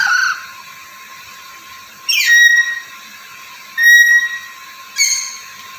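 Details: Black-capped lory, a chatty pet parrot known for talking, giving loud whistles: a rising opening note, then a sharp swoop into a long flat tone, another held whistle and a brief final note, over a constant hum.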